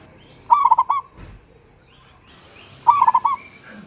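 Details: Caged local zebra dove still singing in the rainy season, giving two quick rolling phrases of clipped, hollow coo notes about two seconds apart, with a brief soft thump between them.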